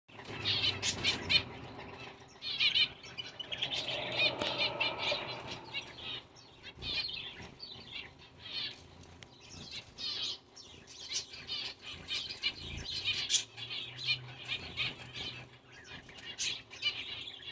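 Zebra finches chatter in nasal, buzzy phrases with rapid chirps and clicks, mixed with wing flutters.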